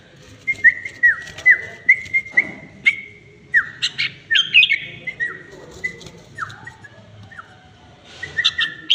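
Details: Tame red-whiskered bulbul delivering bright whistled notes, many sliding sharply downward, in irregular bursts over several seconds, with clicking and scratchy background noise.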